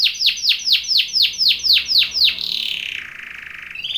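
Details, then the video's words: Canary singing a training song: a loud series of sweeping notes that drop steeply in pitch, about four per second, followed by a sustained buzzy, rolling trill that dips lower near the end. "BEST canary singing / CANTO CANARIO CANTANDO FOR TRAINING / CANARY TRAINING SONG"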